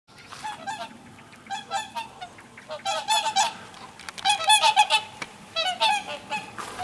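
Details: Whooper swans leaving to the south in autumn (October) trumpet loud, nasal flight honks, several birds calling in overlapping bursts roughly every second; no other sounds stand out.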